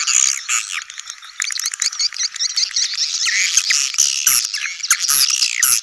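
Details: Colony of swiftlets, sedot anakan style lure sound for new swiftlet houses; dense overlapping chirps and twittering calls from many birds, bursts of rapid clicks and squeaks throughout.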